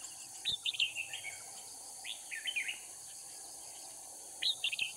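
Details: Decoy red-whiskered bulbul singing during trapping at Kim Bôi, Hòa Bình, Vietnam; three quick bubbling, whistled phrases spaced about two seconds apart over constant insect buzz.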